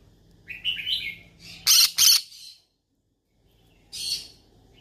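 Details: Yellow-sided conure, looking for friends to talk to: a run of rising buzzy chirps, then two loud grating squawks back to back, silence, and one more raspy call.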